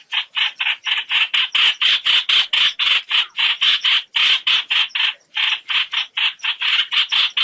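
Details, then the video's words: Net-trapping lure of a trao trảo bird calling the flock: dense, scratchy, squawking notes delivered in a fast, almost continuous chatter with one short break. "Tiếng Trao Trảo gọi bầy, tiếng chim bẫy lưới"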